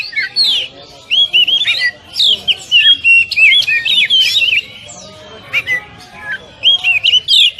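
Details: Oriental magpie-robin, 'tembakan rapat' training song for caged birds: tight clusters of swooping whistles and chattering notes delivered in rapid bursts, broken by a few brief gaps.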